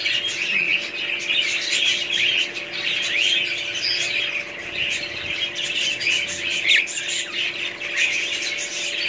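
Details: Budgerigars keep up a steady, raspy twittering with frequent short squawks and chirps mixed in, over a constant low electrical hum.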